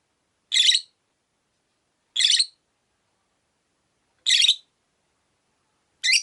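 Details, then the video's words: Rosy-faced lovebird, kept with four others in a window cage, repeating piercing, raspy chirps roughly every two seconds, four bursts heard. "Lovebird Chirping Sounds"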